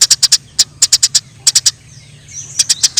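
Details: In the wild, Eurasian tree sparrows squabbling, with small clusters of crisp high chirps, a quiet spell holding a soft thin whine, then another quick group of chirps.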